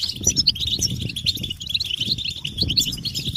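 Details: European goldfinch group twitter used as song stimulation with mating and readiness calls: quick, sparkling chirps and tinkling phrases over a low, fluttering rumble, possibly wing movement.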